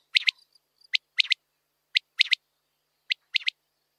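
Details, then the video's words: A common quail (Coturnix coturnix) gives its liquid three-note 'wet-my-lips' phrase, one sharp note then a quick pair, repeated about once a second over a quiet background. "Son de la Caille des blés"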